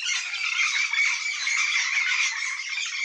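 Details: Yellow-faced parrot flock producing an unbroken, dense, scratchy chatter of many overlapping harsh squawks.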